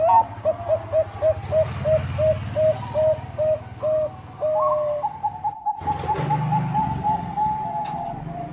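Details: Bangkok zebra dove cooing vigorously to provoke rival birds: a steady series of short low coos about three per second, then a drawn-out even tone, with a loud low rumble and noise beneath.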